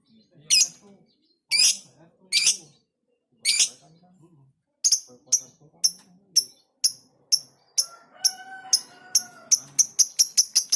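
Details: Shy fighter-type lovebird kept at home, giving spaced sharp high chirps that start slowly, then speed into a rapid series of clipped calls, with faint lower tonal sounds in the background toward the end.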